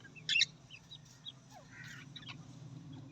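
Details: Australian parrot calling: a loud harsh burst of chattering near the start, then scattered short high chirps and a scratchy squeak over a steady low hum.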